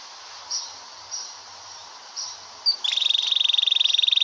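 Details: Canary long roll for song tutoring: after several faint, soft chirps over steady background hiss, a bright fast trill bursts in, its notes pulsing rapidly and evenly until the end.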